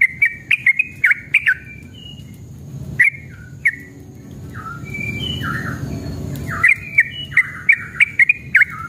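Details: Aggressive Yellow-vented bulbul, known locally as trucukan, singing in rapid 'ropel' style used to coax other birds into song: clustered bright chirps and short warbled whistles, a softer middle section, then a renewed quick burst of notes.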